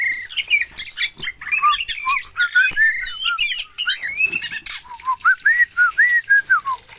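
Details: An Oriental magpie-robin from Aceh, Indonesia, delivers a dense jumble of varied high chirps, trills and squeaky notes, then shifts into a steady series of clear, looping whistled notes.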